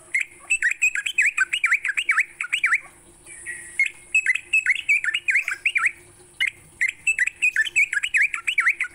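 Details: Morning song of a sooty-headed bulbul, played to get songbirds singing: lively run of warbled, dipping whistles in rapid repeated phrases, nearly continuous with one brief break, over a faint constant high hiss.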